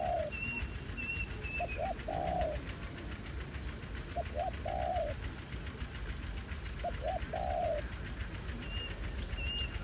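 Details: Spotted dove during ground-decoy trapping, a keen new wild bird responding: three phrases roughly every two and a half seconds. Each has two short hoots and then a drawn-out coo. High whistles from another bird come at the start and end.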